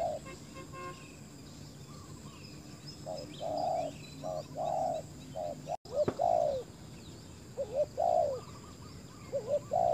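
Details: Spotted dove used as a decoy on a ground clearing to lure fierce wild doves; short-long paired coos, the second note sliding down, given in bursts with pauses, a brief dropout midway, faint chirps of other birds above.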